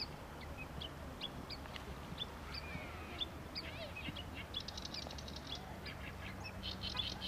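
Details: Japanese bush warbler giving its tani-watari call on a suburban riverbank beside a park and road, before flying off; sharp high chirps, then a quick evenly spaced run of bright repeated notes, over steady low traffic rumble and background noise.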